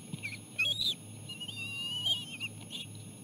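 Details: Bald eagle chicks at the nest during a feeding of seal placenta brought by their mother. Brief, thin whistled squeaks and a longer wavering whistle, fairly soft, above a constant low hum.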